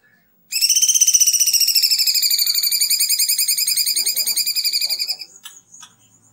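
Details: Kunti song for training cucak ijo, kacer and murai: one long, rattling trill of rapid even pulses lasting nearly five seconds, slowly fading at the end, followed by a couple of soft clicks.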